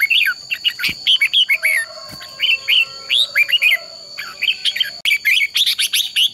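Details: Red-whiskered bulbul giving an intense fighting song for training, almost nonstop: rapid strings of whistled, warbling and chattering notes, short breaks at about two and four seconds, then a dense final burst.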